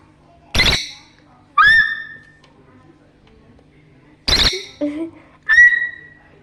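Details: Parrot calling: a harsh, explosive squawk followed by a clear whistled note that slides upward, then after a pause the same squawk, a short low croak and another rising whistle, in a quiet room.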